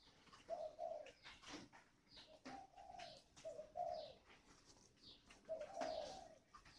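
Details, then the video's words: Decoy spotted dove from Ba Vì, Hanoi, with a 'còi' voice, cooing more softly in short paired phrases behind steady hiss, sharp clicks and faint high chirps. "CHIM MỒI GIỌNG CÒI"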